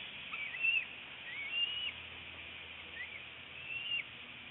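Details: Bald eagle mother feeding her eaglet fish at a northeast Florida nest, 25 February 2018, 10:31 am; brief bursts of thin, high whistled notes, three or four clusters spaced about a second apart, against a steady hiss.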